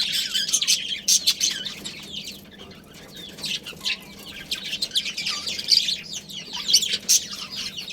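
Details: Budgies from a breeding pair's family colony chatter in rapid wavering warbles, about two or three notes a second, quieter in the middle, with crisp chirps near the end.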